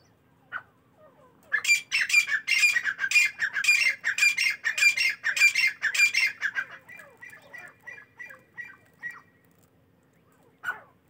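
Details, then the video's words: A morning partridge chorus: a single note, then a long, fast series of loud, grating squawks for about five seconds. It fades into softer, thinner repeated notes before a final call. "تیتروں کی صبح کی خوبصورت بولیاں"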